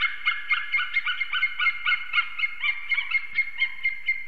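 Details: Morning calling by an eagle pair mating at their nest in Ķemeri, Latvia, on 8 March 2024. Loud, close, ringing yelps tumble rapidly in an uneven, overlapping series.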